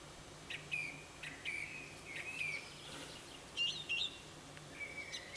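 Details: A song thrush in its morning song sings short, clear whistled phrases with some sharper, scratchy notes, each phrase separated by brief pauses, over a faint low hum.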